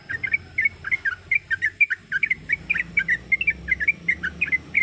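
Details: Calling female sooty-headed bulbul: a continuous string of short, clear chirps rising and falling in pitch, several per second, with a faint high whine and low rumble behind.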